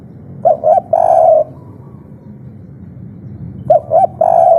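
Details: Spotted dove repeating its agitated 'kuk 3' phrase, a local natural lure for provoking other doves. Twice: two quick rounded coos then a long buzzy held coo, phrases roughly three seconds apart over low background noise.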